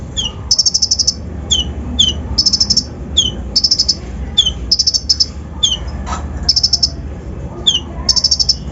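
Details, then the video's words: Kolibri ninja singing a provoking lure song: high rapid trilled bursts alternating with sharp down-slurred notes, repeated steadily through the recording, faint low background noise. "PANCINGAN KONIN BAHAN FULL ISIAN KASAR COCOK UNTUK MENAIKAN EMOSI BURUNG BAHAN"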